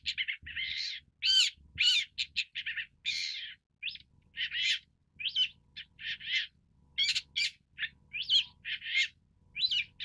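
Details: Long-tailed Shrike (Lanius schach) chattering steadily, mixing rapid scratchy notes with short whistled and rasping elements in a varied, almost continuous stream.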